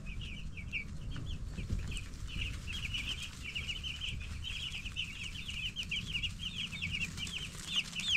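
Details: Baby broiler chickens at ten days old, a group peeping in quick high chirps that build into a busy chorus, with occasional wing flutters and soft scuffling beneath.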